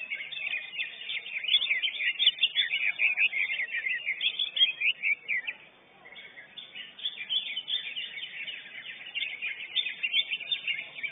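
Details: Lesser green leafbird (cucak ijo unyil), the first-place winner of a caged-bird singing competition, delivers a dense, rapid stream of high, sharp chirps and twittering notes with barely a break, briefly pausing near six seconds.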